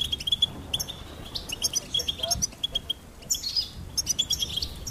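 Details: Goldfinch singing a thin, high, sustained trill broken by sparkling chirps and twitters, in short phrases with gaps, softly recorded over light background noise.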